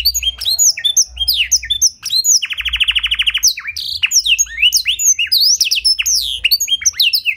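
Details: Canary tutored with blackthroat song, a pet bird singing a loud, clear medley: high slurred whistles, then a rapid buzzy trill of repeated notes lasting about a second, then more swooping high phrases.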